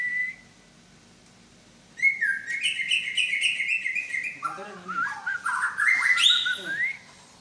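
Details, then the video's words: White-rumped shama, Medan type, showing off its imitated repertoire: after a brief note and a pause, a long fast run of chattering, buzzy and whistled notes, about four per second, rising near the end. "BURUNG MURAI BATU MEDAN BONGKAR ISIAN"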